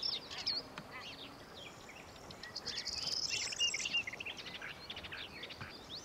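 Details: Sardinian warbler (nominate melanocephala) at Lake Kerkini National Park, Greece, in April 2024, giving quick, scratchy, high chattering notes in uneven bursts; a thin whistled note and other small birds chirp in the background.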